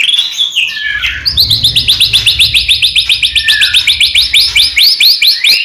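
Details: Singing white-rumped shama, played to get other shamas singing: a long, rapid, even series of bright upswept whistles, about four per second, after a short buzzy opening, with a low hum underneath.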